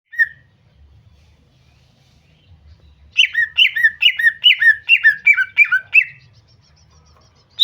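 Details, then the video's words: Female greater green leafbird calling to lure a male into singing: a single short note, a quiet pause, then a quick run of about eight paired notes, each sliding sharply down, with one final high note. "Terapi cucak ijo agar bunyi"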